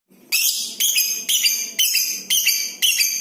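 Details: Lovebird kept in a cage, chattering to prompt other lovebirds to sing: six harsh, buzzy, high-pitched bursts in steady succession, roughly two per second, each starting sharply and fading slightly.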